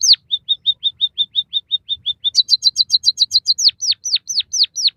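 White-headed munia song: about twelve quick, even high whistled notes, then a burst of sharper, higher notes, ending in six loud notes that slide downward.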